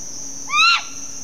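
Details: A Stygian Owl in a garden at Zapata Swamp Biosphere Reserve, Cuba, gives a single short, rising, nasal note lasting about a third of a second, over a steady high insect whine and a low hum.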